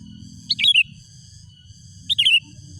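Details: Wild sooty-headed bulbul calling out rivals: two brief, bright, high chirping phrases about a second and a half apart, each a quick tumbling twitter, over a faint low hum.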